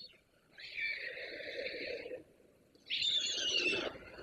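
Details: Young white storks returning to the nest and meeting their parents on 17 August 2024, picked up by an online nest camera; two long, breathy, hissing wheezes with a rough, noisy texture, separated by a short silence.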